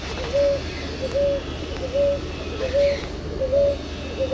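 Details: Brazilian ruddy ground dove, or rolinha-roxa, singing a regular series of soft coos, each a quick grace note before a held mid-low tone, about every 0.8 seconds amid background rumble and occasional faint ticks.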